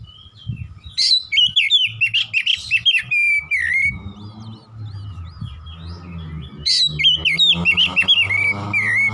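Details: Oriental magpie-robin delivering vigorous 'gacor nembak' song, two long volleys of loud rapid whistled and chattering notes separated by a quieter spell, with a low hum in the background.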